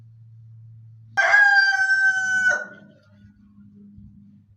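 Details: Rooster crowing: a single loud, hoarse crow lasting about a second and a half, held steady on one pitch before dropping off abruptly at the end, set against a quiet, low background hum.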